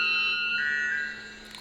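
White Bellbird giving one loud, metallic, ringing note, rich and bell-like, held steady for about a second before fading out.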